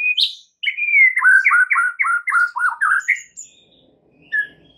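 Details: White-rumped shama song played to entice other shamas to sing more and add to their songs: a high rising note, then a fast run of a dozen slurred, descending whistled notes, ending in a soft chirp.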